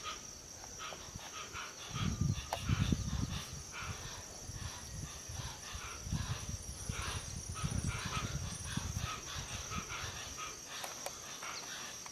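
Hoatzin giving deep, hoarse, grunting croaks in short irregular bursts, with a steady high insect drone behind.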